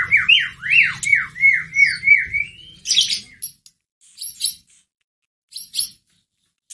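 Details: Caged white-rumped shama provoking lure: a rapid series of rising-and-falling whistled notes repeated about eight times, then a few sparse high chips and ticks separated by silence.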